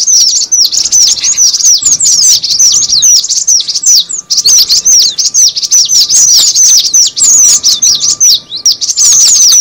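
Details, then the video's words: Cinereous tit lure sound: rapid, overlapping high chirps that slide downward, tumbling on almost without pause, about two and a half per second, over a faint constant hum. "suara pikat burung gelatik batu"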